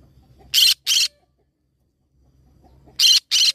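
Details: Green-cheeked conure parrot giving harsh, raspy squawks in two pairs, each pair of short loud bursts about a third of a second apart, with the pairs separated by a quiet gap of about two seconds.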